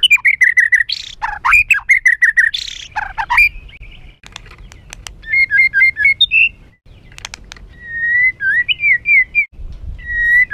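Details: White-rumped shama in an emotional, harsh song used to provoke other birds: quick series of wavering whistled notes, sharp clicks and short rapid trills, with rising-and-falling whistled phrases near the end.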